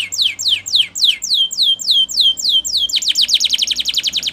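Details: Canary singing a training song meant to encourage canaries to sing: slow, evenly spaced falling whistles, then a sudden switch to a much faster rattling trill of short notes.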